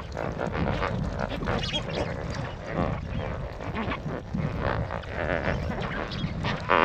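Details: A dense flock of lesser flamingos in a wetland at Jamnagar, Gujarat, India, keeps up a constant, overlapping babble of low nasal honks and grunts, with a faint undertone of wind or water.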